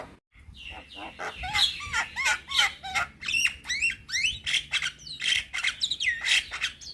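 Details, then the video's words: Young Javan myna in energetic song full of fill-in phrases; rapid run of looping, wavering whistles and squawks, nearly four notes per second, said to prompt other mynas to reply. "Burung Jalak Muda Pasti Nyaut Saat Dengar Kicauan Jalak Kebo Muda gacor Full Isian"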